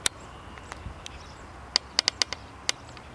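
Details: European stonechat (Saxicola torcuatus) filmed on 2 June 2019 at Zamudio, Txorierri, Bizkaia: sharp, dry clicking calls, a few scattered at first, then a quick cluster of five tacks near the middle and one more after a pause, over quiet background.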